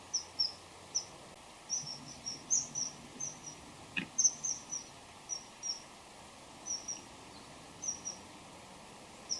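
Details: Song of a common kingfisher pair, male and female, calling to each other at close range. Rapid series of piercing high whistled notes, often in quick pairs or triplets. A brief dull knock breaks in midway.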